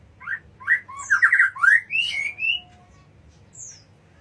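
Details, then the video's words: White-rumped shama singing: a varied run of rich, slurred whistled phrases, rising and falling notes in quick succession for about two seconds, followed by a single high downslurred whistle after a pause; low background hum. "Suara murai batu"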